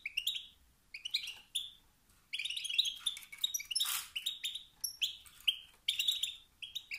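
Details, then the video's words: Male European goldfinch making stimulating 'sitsat' and 'batbat' calls meant to spark competition and singing in other males; bouncy, chattering bursts of bright tinkling notes, a short pause, then a denser run with one raspy note. "ستستات و بتبتات ذكر الحسون الخلوي التي توقد النار في الذكور الاخرى"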